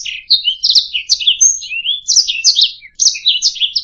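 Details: Canary song as a tutoring recording for songbirds, with bursts of chirps, a long thin rising whistle, then quick sweeping notes after a brief pause.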